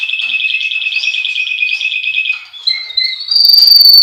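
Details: Russian canary from a breeder in Miami, Florida, in a training song: a rapid pulsing trill held for over two seconds, then higher sustained whistled notes ending in a steady bright tone.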